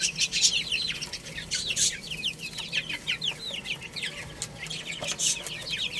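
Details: Baby chicks chirp busily while playing and eating: a steady stream of short, high, falling peeps from many birds, with scattered bright clicks of pecking.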